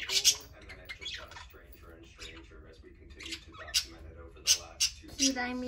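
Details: Parakeets playing: quick warbling, buzzy chatter with scattered sharp squeaks, growing louder and more frequent toward the end.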